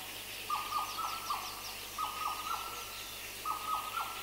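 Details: Black parrot song amid other birds including Madagascar cuckoo: three phrases of three or four level whistled notes, repeated roughly every one and a half seconds, with faint higher chirping above and constant background hiss.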